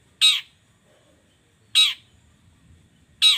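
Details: Long-tailed shrike morning lure sound: three hoarse rasping squawks about one and a half seconds apart over quiet low background noise.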